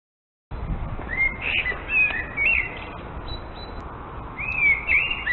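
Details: Common Blackbird, a Central European house and garden bird, singing: a run of fluted, warbling phrases mostly in the upper-middle register, with a pause before another rich burst near the end.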